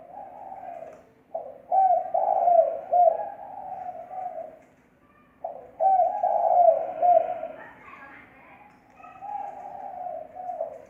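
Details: Spotted dove calling as a lure (thổ mồi), clean audio: repeated cooing phrases, each a rhythmic string of mellow, throaty notes, broken by brief pauses, with a softer trailing phrase at the end.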